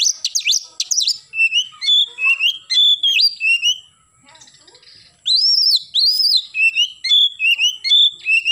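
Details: Oriental magpie-robin singing actively in the morning in the loud 'nembak' style: rich, varied whistled phrases with sharp rising and falling sweeps and steady clear notes, a brief near-silent pause midway, then a strong rising whistle restarting the song.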